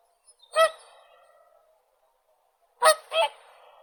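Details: Whooper swan calling: loud, brassy trumpeting honks, one single note followed after a pause by a quick double note, in otherwise quiet surroundings.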